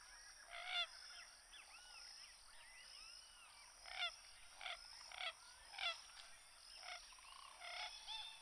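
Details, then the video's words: Common gallinule (Gallinula galeata) giving harsh, nasal clucks and squawky bursts, repeated irregularly about every second, with a steady high insect hiss behind. "CANTO DA GALINHA D'ÁGUA (Gallinula galeata)"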